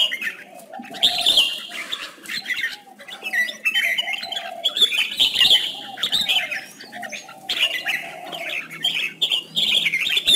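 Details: Red-whiskered bulbul singing in contest style, a recording meant for training birds: loud warbled outbursts at irregular intervals alternating with quieter chatter and low mellow notes beneath.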